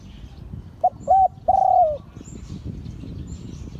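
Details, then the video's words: Spotted dove crowing in the Liu Tan style, a bird of an auspicious line: one three-note phrase of low hollow coos, two short notes then a long drawn note sliding downward. Faint rustle and murmur behind. "เสียงขันนกเขาใหญ่ # หลิ่วตัน"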